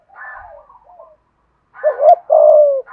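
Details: Lure cooing of a spotted dove, for drawing wild doves to respond. Faint murmuring notes are followed by a loud wavering coo and a long, steady coo.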